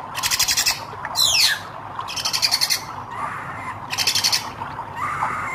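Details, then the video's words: Singing red-eyed hair-crested drongo: repeated rasping, rattling buzzes about a second apart, with one sharp descending twang and soft upward-sliding notes, over constant background noise. "SRIGUNTING KRANTIL MATA MERAH GACOR !"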